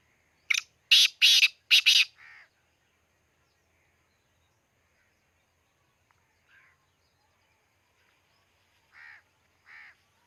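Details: Black francolin at Khushab: a quick series of five harsh, crackling notes, then long silence broken by a few softer, distant nasal notes.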